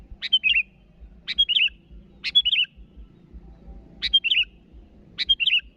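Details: Calling to rivals, a sooty-headed bulbul repeats a brisk chirpy phrase five times, roughly once a second: a bright clipped onset then a short fluttering, falling twitter, over quiet background hum.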